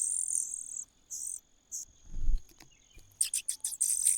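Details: Young cuckoo in a nest, giving harsh, hissing high-pitched bursts: a long one, two shorter ones, then a fast run of rapid pulses near the end. A steady thin whine persists throughout, with low thumps in the middle.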